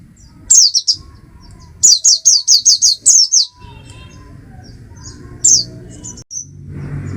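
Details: High, sweet, descending chirped notes from an Oriental white-eye, first a short pair, then a fast run of about seven, then a lone note, over a faint low rumble.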